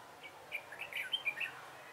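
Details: Red-whiskered bulbul decoy singing during trapping on 3 November 2017: a quick burst of bright, warbled chirps that hop between notes over about one second, with faint background hiss.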